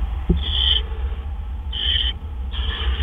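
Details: Owl heard in the early morning dark of 12 April 2013 while a male delivers food. Three scratchy, breathy screeches spaced about a second apart, with a soft knock near the start and low hum throughout.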